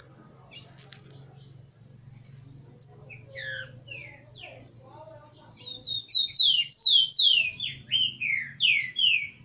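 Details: Rufous-collared sparrow (tico-tico), a fired-up male among females at a breeder's aviary: scattered high chips and slurs over a low steady hum, building to a rapid string of loud descending whistles.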